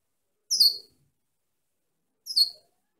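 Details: Female European goldfinch giving two short, high, downslurred chirped notes, well separated by nearly two seconds of silence, crisp and bright.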